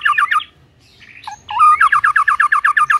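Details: White-rumped shama giving a few harsh notes, a whistled swoop, then a steady fast series of identical clipped notes, about six per second.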